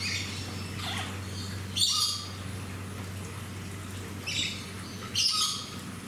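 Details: Major Mitchell's cockatoo recorded at Fuji Kachoen Garden Park, Shizuoka, Japan, on 25 November 2018, giving two loud rasping screeches near two and five seconds, plus a softer one, above a constant low hum.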